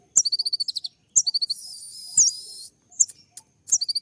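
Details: Sunbird song used as a provocation recording to make other birds respond: very high, sharp staccato note series, fast repeated chips broken by a rasping buzzy stretch and thin upslurred whistles.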